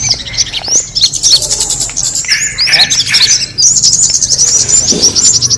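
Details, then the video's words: Kemade bird call played to attract birds: bright, high chirps and upward-flicked notes, with a few lower buzzy bursts in the middle and steady chatter throughout. "the sound of the kemade bird attracting noise"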